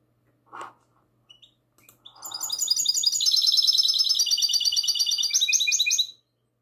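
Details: Goldfinch hybrid singing classic song at night on 22 March 2020: a short low knock and a few faint ticks, then a sustained stream of rapid, high, sweet trilled notes lasting about three seconds.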